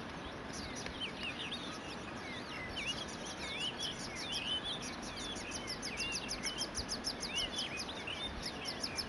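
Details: Cape canary of the subspecies Serinus canicollis canicollis, recorded 26 July 2012 at Kirstenbosch, Cape Town, South Africa, sings a lively, rambling warble of quick twittering and slurred notes, with a rapid high ticking pulse running alongside.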